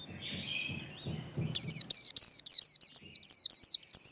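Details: White-eye in a 'líu' singing contest: low murmuring noises fade into a quick series of about nine loud, high, downslurred whistled notes.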